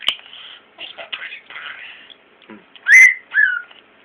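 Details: A pet male European starling (Common starling) mimics speech in scratchy, speech-like phrases, then gives two loud rising whistles, while its owner coaxes it to talk and asks for kisses.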